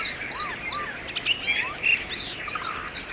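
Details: Brahminy starling (myna) singing in India, around Aurangabad: varied whistled phrases, some rising and falling in arches, mixed with short chirps and sharper notes, against a steady background of other bird chatter.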